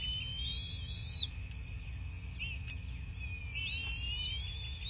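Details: Nesting bald eagle in southwest Florida, nest camera, 26 February 2024, 09:21; a high sustained whistle, a brief pause with a soft note, then a rising, wavering whistled phrase, all above a steady electrical-sounding hum.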